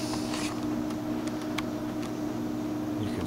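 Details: A steady mechanical hum with a constant tone, like a fan or motor running indoors, with a few faint clicks and no animal voices.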